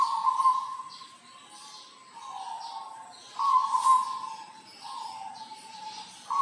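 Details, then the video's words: Local zebra dove (perkutut) from Tulungagung, an actively singing bird used as a tutor for other birds: low, hollow cooing phrases of soft rolling notes, one phrase about every one and a half seconds, over faint background hiss. "Perkutut lokal gacor dor gacoran untuk masteran"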